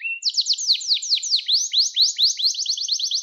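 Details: Young-canary training recording of a canary: after a short rising whistle, loud repeated downward sweeps then upward slurs, about five notes a second, crisp and clean.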